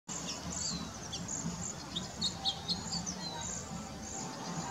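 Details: A flock of around 35 cedar waxwings perching and singing in a very bare tree while hunting for scarce berries; thin, very high hissing whistles overlap steadily, with scattered sharper chirps below and a low background rumble.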